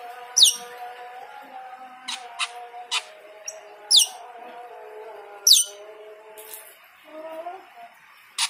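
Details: Cucak keling in full song during the call to prayer: loud, sharply descending whistled notes every one to two seconds, separated by softer clicks, over the steady tones of the call to prayer.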